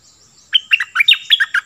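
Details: Cream-vented bulbul kept as a decoy bird, in excited full song: a quick run of about nine bubbly, liquid notes that jump between low and high pitches, given in a burst after a short silence, with a faint steady hiss behind.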